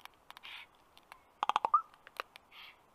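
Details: Common raven, landed briefly on a black stork nest tree in Karula National Park, Estonia, on a May afternoon, gives a quick run of dry, woody clicks and knocks, bunched in a rapid burst mid-way, with soft breathy rasps around them.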